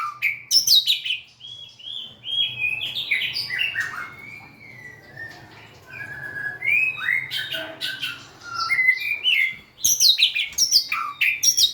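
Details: White-rumped shama, a cage-bird, in full song: a long varied stream of whistled phrases and high sharp chirps, with brief quieter gaps and a loud high burst near the end.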